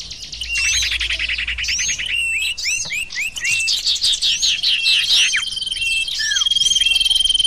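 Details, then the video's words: Sirtu bird chorus for luring: rapid, crowded high chips and slurred whistles throughout, a few sharp downward notes past the midpoint, and a steady long whistle with trill at the close. "audio pikat burung sirtu"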